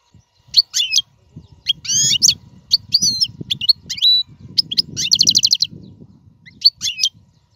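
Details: Goldfinch song used to teach caged fledglings: scattered high twittering notes, curling whistles and a short buzzy rattle, separated by pauses, with low rustling and knocking noise underneath.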